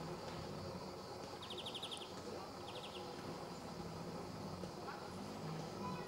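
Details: At Sabunike, Croatia, on 26 July 2014, a male greenfinch delivers a fast trill of about eight clipped notes, then a shorter burst of three, over steady low-frequency hum.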